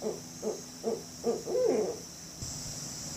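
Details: Barred owl hooting: four evenly spaced short notes, then a longer, louder, drawn-out hoot that slides downward. A soft thump and low background noise come after.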